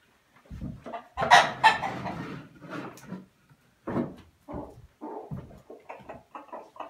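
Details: Chickens let back into the house after a few hours locked out for spring cleaning; loud bursts of clucking and rustling indoors, then a run of short, quick, rising clucks and chirps toward the end.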